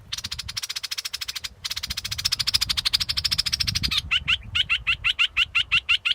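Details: Scarlet-backed flowerpecker producing a long, rapid, buzzy high trill lasting about four seconds, followed by a steady run of sharp, clipped, high notes repeated several times a second; faint low background rumble.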